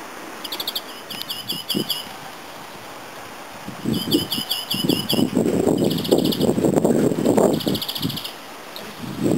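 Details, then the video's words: European greenfinch, an olive-green songbird in the Netherlands, singing bursts of quick, high, ringing trills repeated in short series, over low rustling and muffled background noise. "Groenling / Groenvink (Chloris) : Zangvogel"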